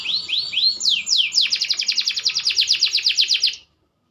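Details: Green canary, growing more mature, sings three rising upswept whistles, then a long fast trill of sharp repeated notes, about four per second, ending abruptly in silence.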